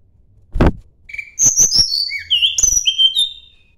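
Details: A Sunda blue robin searching for a rival gives a low thump, a thin whistle, then crisp clicks and a string of high, gliding notes stepping downward.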